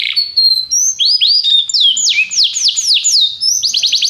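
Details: Canary singing a training song: long high whistled tones, then rising slurred notes, a rapid series of downward-sweeping whistles, and a quick stuttering burst of high notes at the end.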